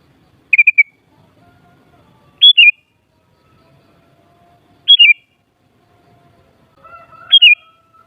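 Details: Repeated phrases of a sooty-headed bulbul, each a bright rising note tumbling down in wavering steps, spaced about two seconds apart, over soft, sustained lower whistles. Intended to raise the excitement of bulbuls so they sing back.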